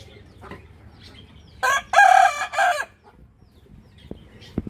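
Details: Rooster crowing in the morning: a loud, hoarse crow in several connected segments lasting over a second, rising then holding. Quieter scattered clucks and clicks follow in the background.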